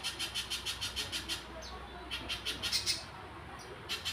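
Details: Little spiderhunter singing in bursts of quick, sharp chipping notes, pausing briefly between runs, with a few short downward whistled slurs in the gaps.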